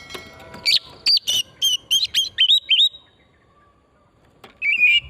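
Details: Oriental magpie-robin in pristine forest, song used as a lure to stimulate singing: a quick series of about nine rich whistled notes, each sliding down, then a pause and a warbled phrase at the end.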